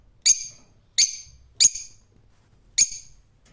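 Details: Four loud, grating screeches from a rose-ringed parakeet, spaced roughly every three-quarters of a second to a second, each ending in a ringing tail.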